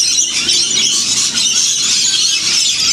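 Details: A huge flock of wild lorikeets feeding in winter at St Clair in the Blue Mountains, about 30 km from Sydney, gives a steady wash of shrill, screechy chatter, with many high calls overlapping without a break.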